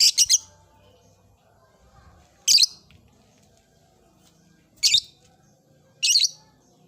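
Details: Caged lovebird, blue ice variety, singing in an old cage as it begins its ngekek chatter: four short, harsh, high-pitched chattering bursts, the first a rapid triple, spaced roughly two seconds apart over a quiet background.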